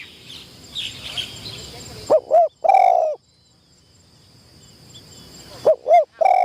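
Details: Spotted dove decoy on its first training session in a trapping enclosure, cooing twice: each phrase has two short, hollow, bouncing notes followed by a longer drawn-out croo, with a quiet pause between the phrases.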